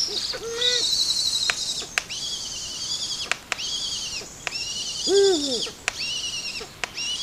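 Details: Eurasian eagle-owls (Bubo bubo) by the Caia River, Alentejo, Portugal, September 2016, where they do not usually occur: harsh, hissing rasps about every second, with short, lower squeaky notes and sharp clicks between.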